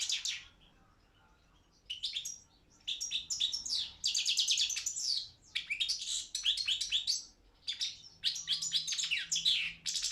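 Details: Balkan goldfinch (Carduelis carduelis balcanica) performing in an internet world championship for goldfinch song: repeated bursts of quick liquid twittering and high trills separated by brief silent gaps across ten seconds.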